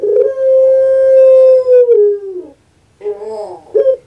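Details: Puter pelung dove kept by its owner in Java: a drawn-out, clear coo held for about two seconds before sinking in pitch, then after a pause a gruff, rolling series of short notes.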